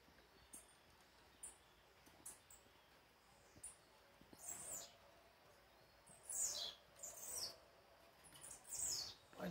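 A female blue-black grassquit sings with thin, high, buzzy notes: a few soft ticks, then three or four louder wheezy bursts about a second apart. Soft speech is faintly heard.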